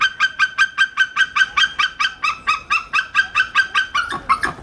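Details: A white-tailed eagle at Wilhelma zoo in summer 2013 gives a fast, steady run of sharp yelping notes, about four per second, in a high, slightly nasal series that falters at the end.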